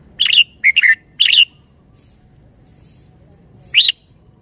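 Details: Three rapid bulbul phrases in quick succession, each a bright warbled note bending up then down, followed after a pause by a single rising whistle. The song of a red-whiskered bulbul noted for good phrasing and flair.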